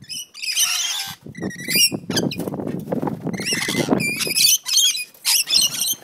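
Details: Rainbow lorikeets fighting in a Central Coast, New South Wales backyard: shrill screeching bursts with whistled inflections, broken by a spell of low scuffling and flapping noise in the middle.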